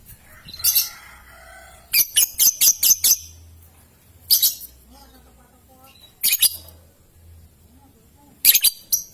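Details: Lovebird lure for young birds, aimed at drawing long ngekek and ngetik trills: scattered piercing chirps and a quick run of six clipped high notes, with faint softer twittering between bursts.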